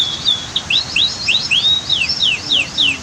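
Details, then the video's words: Clear canary song from a bird-training recording with waterfall and dam sounds: a steady string of bright, downward-sweeping whistled chirps, about four per second, each slurred and musical, over quiet background water noise. "Masteran Kicau KENARI"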